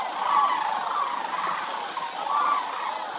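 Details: Migratory sandhill cranes wintering at Willcox Playa Wildlife Area give a softer, blended chorus of rolling calls, with a few clearer trumpeting notes standing out above the wash of the flock.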